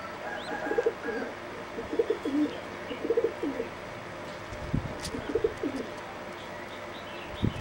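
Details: Competition singing zebra dove, from a line selectively bred for its melodious song, preening and repeating short phrases of rapid, low, rolling coo notes roughly every second or so, with occasional thumps and soft background noise.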